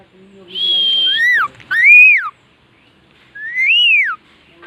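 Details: Pet parrot producing clear, pure whistled notes: a long level high tone, then two rising-and-falling arched whistles, a short pause, and a final arched whistle, with a faint low hum underneath.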